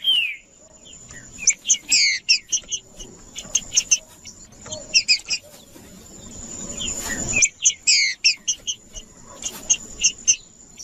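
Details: Green-winged saltator song played to warm up other saltators: bursts of sharp, buzzy, chattering notes alternating with short downslurred whistles, a steady high whine running throughout, with quieter gaps between phrases.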